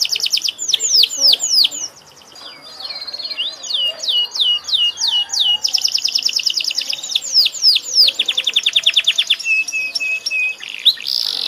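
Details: Singing canary delivering a long varied song of fast descending slurred notes, dense rattling trills and level whistles, phrases following each other almost without a break, very high and sharp throughout.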